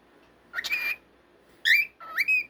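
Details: Cockatiel giving three short upslurred whistled chirps, each bright and rising, over a steady low room hum.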